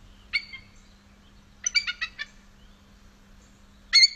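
Bald Eagle giving thin, high, squeaky piping notes, a single note, then a quick stuttering chatter of five or six, then another burst. A faint steady hum sits underneath.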